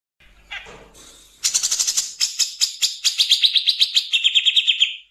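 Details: Grey-cheeked bulbul giving a 'nembak kasar' harsh outburst, natural voice with pauses: a few faint scratchy notes, then a dense rattling barrage of grating notes that settles into a lower, steadier buzzing trill before stopping.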